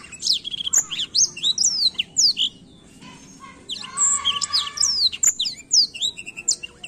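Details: Black-throat singing a varied, high-pitched song of sharp whistled slurs, rising and falling sweeps and quick chirps in two bursts separated by a brief pause, over a faint low background hum.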